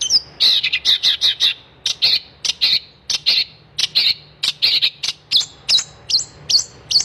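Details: Long-tailed shrike in vigorous, non-stop song, used as a tutor recording for shrikes that have stopped singing: rapid bursts of sharp, high chirps and short trills, some notes sliding downward, delivered in quick clusters with brief pauses.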